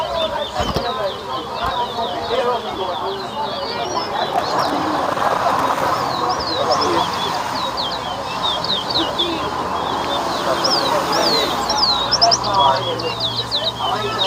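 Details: Towa towa, the large-billed seed-finch, competing in a whistling match at Better Hope, Guyana: long stretch of fast, repeated high warbled whistles, some rising sharply, buried in a loud murmuring crowd with a low hum late on.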